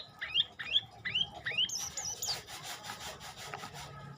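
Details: Olive-backed tailorbird: four clear rising whistled notes at a steady pace, followed by high thin notes and a scratchy, rasping noise.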